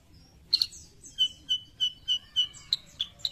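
A Sooty-headed Bulbul gives a couple of sharp chirps, then a steady run of clear, mellow whistled notes, about three each second, ending in bright high notes.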